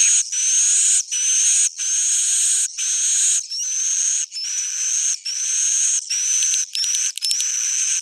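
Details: Roosting sound of edible-nest swiftlets, played to attract the birds: loud, rasping, high chirps in bursts of about a second, each with a faint rising whistle, repeated with brief silences and a flurry of ticks near the end.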